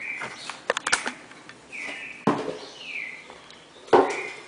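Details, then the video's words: A pair of red-crested cardinals, singing in the classic four-note Bagé style: clear whistled notes, each holding steady and then sliding down, spaced about a second apart. Sharp clicks and clatter fall between the notes. "Casal Cardeal 4 notas canto Bagé clássico"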